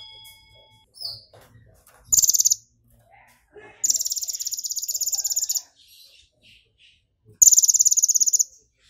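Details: Excited brown-throated sunbird singing with mimicked golden grasshopper song: three loud, very high, rapid buzzy trills, each a dense train of ticking pulses lasting about half a second to nearly two seconds, with softer chirps between.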